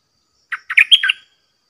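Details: Caged Red-whiskered Bulbul singing in the 'dok taeng' style to challenge wild birds after a long time away from the forest: one short phrase of five quick warbled notes, rising to a bright whistled peak, with no other sounds.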